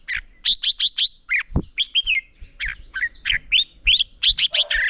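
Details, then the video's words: Red-whiskered bulbul giving morning duel-style song, used to train a wild-caught bird's voice; rapid run of bright whistled, warbling notes, clusters of sharp upswept chirps repeated about three per second, plus one low thud midway. "Chào Mào Hót Đấu"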